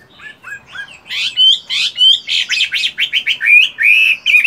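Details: Caged hwamei kept for fighting, still singing while moulting in morning training: soft opening whistles swelling into loud, rapid, varied phrases of rising and falling notes, strongly repeated toward the end.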